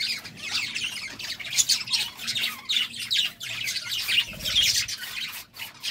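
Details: Budgies courting, keeping up a busy, shrill warble of harsh squawks and quick chirps that overlap in an unbroken stream, with short louder bursts every second or so.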